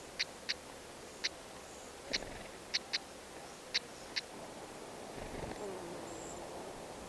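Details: One of a pair of black-headed stonechats feeding chicks at the nest gives sharp, dry clicking 'tak' notes, singly or in quick pairs about eight times in four seconds, over soft outdoor background noise.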